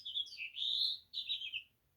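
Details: House finch song in a recording; lively, rapid high warbling with slurred notes rising and falling, two phrases separated by a brief pause, clean and quiet background.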